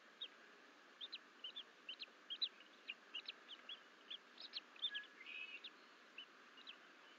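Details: Alone in their Fort St Vrain nest on 14 April 2024, two young Bald Eagles chirp steadily: quick high peeps, often paired, about two per second, with a brief squeal near the end over hiss.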